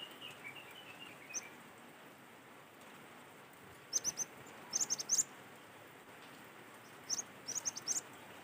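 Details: Natural recording of a Sumatran cinereous tit, played to prompt other birds to sing: short runs of thin, very high chirps in tight clusters, after a soft lower descending series of notes at the start, over faint hiss.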